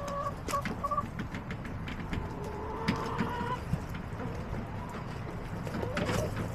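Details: Hens in a backyard flock, April 23, 2024: three quick clipped clucks open the recording, followed by a longer sustained tonal call of about one and a half seconds that fades out. Steady low-pitched background rumble and occasional sharp taps.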